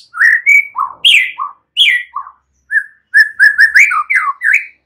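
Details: Song of a young wild white-rumped shama, played to trigger a reply: varied whistled phrases, rising and dropping slurs in short bursts, then a fast run of repeated clear notes.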